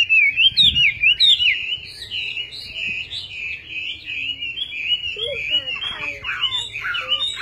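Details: Chinese hwamei delivering a continuous warbling song of fast twisting whistles, starting with sharp looping notes, then a long run of rapid chattering phrases, with a brief lower note near the end.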